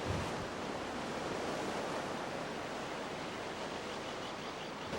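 Steady rushing surf and wind noise fill the recording, with no animal calls to be picked out.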